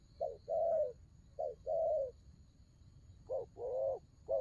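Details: Spotted dove cooing: three phrases, each a short note followed by a longer warbling coo, low and mellow, separated by brief pauses; quiet background.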